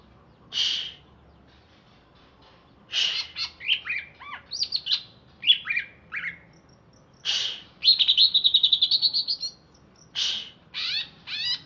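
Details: Wild-origin greater green leafbird from Alas Purwo, Banyuwangi, kept caged and freshly bathed: loud buzzy bursts separated by pauses, tumbling bouncy whistles, a fast high trill, and sharp chip notes.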